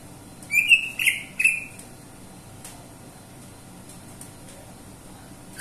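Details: Three fast, sharp whistled chirps from a greater green leafbird in quick succession, then quiet background with faint clicks.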